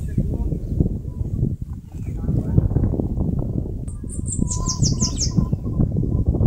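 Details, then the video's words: In northeastern Brazil, a Bananaquit nesting in a mandacaru cactus gives a short burst of rapid, very high, tinny notes lasting about a second and a half, partly masked by loud, low rumbling wind-like noise. "CANTO do CAGA-SEBO (SIBITE, CHUPA CAJU..)"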